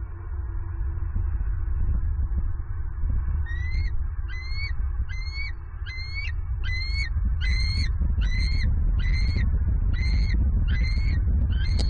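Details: Female bald eagle at a Southwest Florida nest, 27 November 2022, screaming as she flies from a branch to claim an armored catfish her mate brought. About eleven high, harmonic, slurred notes, roughly one per second, over a steady low rumble.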